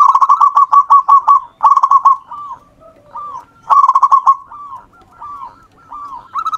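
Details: Local wild zebra dove singing actively, a recording meant as a lure to prompt other birds to sing: bursts of rapid staccato mid-pitched cooing notes alternate with slower, softer rolling coos.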